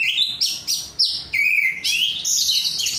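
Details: Caged oriental magpie-robin (kacer), an untrained 'rudal korea' bird singing gacor for songbird hobbyists: loud, high whistled phrases, sliding notes and bursts of harsh rising notes with brief pauses.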